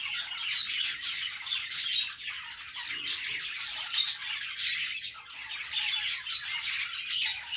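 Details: Morning routine of cheerful pet budgies, Australian parrots: nonstop high warbling and scratchy chirps from many birds, dipping briefly in loudness around the fifth second before resuming.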